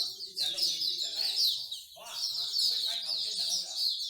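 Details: A crowded chorus of songbirds at a Singapore bird singing corner, where bird lovers gather; shrill trills and chirps overlap without pause, and a brief low voice is heard near the middle.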